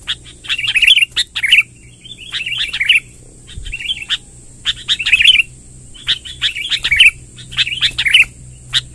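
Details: Lively sooty-headed bulbul, used to attract wild bulbuls, in long rolling song: short bubbly, warbled phrases repeated roughly once a second in clusters, with brief pauses between bursts and a steady faint high whine throughout.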